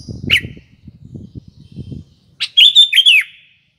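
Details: Sooty-headed bulbul song used as a lure, heard as a short bubbly phrase of rapid whistled notes near the end after a single sharp note, with low rumbling background noise earlier.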